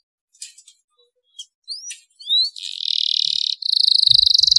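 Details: Canary song to encourage other canaries to sing: a few brief rising chirps, a short buzzy burst, then a rapid, even, high trill, with faint low knocks near the end.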